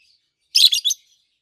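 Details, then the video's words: Adult peach-faced lovebird chirping, one of a green pair with red and yellowish white faces kept indoors; a burst of three shrill, scratchy high notes run together in under half a second. "Lovebirds Sounds - Peach-faced Lovebird"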